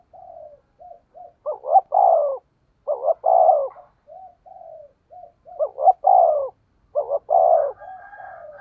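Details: Spotted dove used as a lure bird, 'thổ' voice, mixing short soft introductory notes with loud paired coos, each a brief rising note then a longer falling one, repeated several times.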